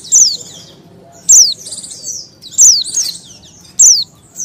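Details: Female Oriental white-eye in breeding condition calling to attract males: thin, very high, falling notes with a buzzy tail, repeated about every second and a quarter; faint low background hum.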